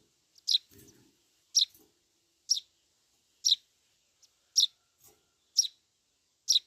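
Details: Eurasian tree sparrow chick begging to be fed, repeating sharp high-pitched chirps about once a second, eight in total, with brief low rustling early on.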